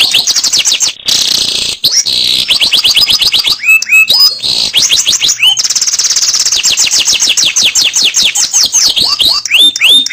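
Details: Canary in long, continuous song used as a lure to stimulate other canaries: fast trills of high, downward-sweeping notes, broken by brief lower swooping whistles and short pauses, sung loud and nearly without a break.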